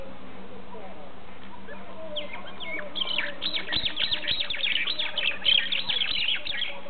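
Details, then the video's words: Several mynas in a tree near Sarjapura village, about 50 km from Bangalore, break into loud, harsh chattering, with rapid overlapping squawks and whistles, over a steady low background hum. "Noisy Mynahs"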